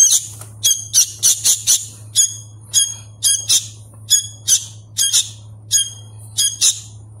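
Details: A hand-fed Sooty-headed bulbul chick, still learning its call, gives harsh, buzzy, high begging squawks in rapid bursts about twice a second, over a faint low electrical hum.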